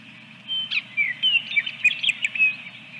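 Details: Osprey at a nest holding a second egg, 24 April 2022, on a ranch nest camera: a string of thin, high whistled chirps and short slurred notes over steady low hum.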